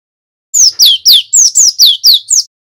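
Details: Lure song of a male cinereous tit: a run of eight loud, high whistles, each dropping steeply in pitch, delivered rapidly in a steady rhythm against silence.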